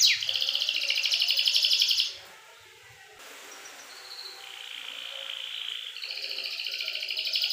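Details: Canary lure song with long clear rolls for young canaries: a loud dense trill for two seconds, a quiet pause, then softer whistled tones and a rapid buzzy trill building again.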